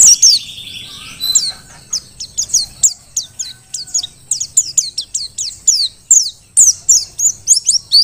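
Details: Merapi Dakun mountain white-eye, wild-caught and singing vigorously as a master song for other birds: a long, steady stream of quick, high, down-slurred chirps, several per second, after an opening buzzy trill.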